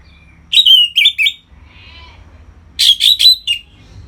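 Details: Orange-headed thrush, kept in a cage, singing 'ngeplong' to encourage breeding readiness in other birds. Two groups of three loud slurred whistles, separated by a soft pause with faint background hum.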